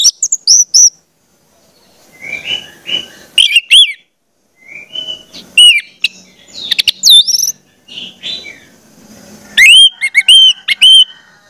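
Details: Orange-headed thrush singing as a lure to make spotted juveniles sing: varied whistled phrases with swooping slurs, soft warbled passages and short pauses, ending in a run of loud, repeated ringing notes.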